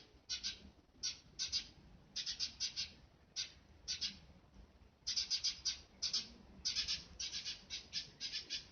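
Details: A rescued Eurasian tree sparrow chick, found near death on a road and not yet able to fly well, calls on first hearing bird voices: sharp, harsh chirps in quick clusters of two to five, repeated throughout with short pauses.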